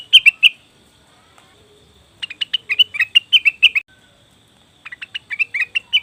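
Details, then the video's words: Leafbird chirps meant as a lure for wild birds: three short bursts of sharp, bright, slightly wavering notes separated by nearly two seconds of silence. "pancingan burung cucak wilis/rengganis dijamin langsung bunyi"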